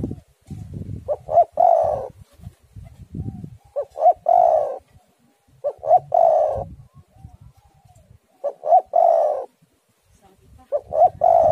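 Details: Spotted dove song meant to lure doves and set them singing; five repeated coo phrases roughly every two to three seconds, each two short notes then a longer trembling coo, with faint low rumble.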